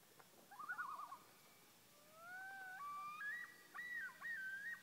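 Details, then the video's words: Loons of Whitefish Lake, Wisconsin: a brief quavering tremolo, then long, smooth wails that rise in steps and break into looping, yodel-like phrases. "Loons of Whitefish Lake Wi"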